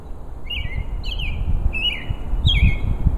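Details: A male robin singing hard to attract a mate: four short, high, warbling phrases, each under half a second, over a steady low rumble of wind or distant traffic.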